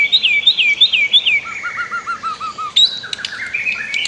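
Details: White-rumped shama master song for training other birds, set with flowing river sounds: a run of looping whistled phrases, then a series of lower repeated notes falling in step, ending in varied sharp whistles.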